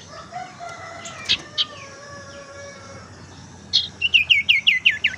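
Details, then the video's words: Tailorbird lure call for stimulating song or trapping: faint whistled tones and a few clicks, then a fast run of about seven loud, ringing, down-slurred chirps in quick succession. "suara pancingan sirtu teras"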